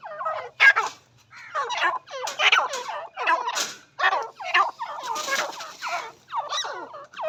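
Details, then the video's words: Teetar, a partridge, giving a long run of coarse, grating calls, one burst after another about every half second, rough and rasping with little pause between notes. "teetar ki awaaz"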